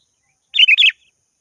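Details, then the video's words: Sooty-headed bulbul calling a rival: one short, bubbly, warbled phrase of three or four rich notes, quickly rising and falling, clear against silence. "Suara burung kutilang gacor memanggil lawan"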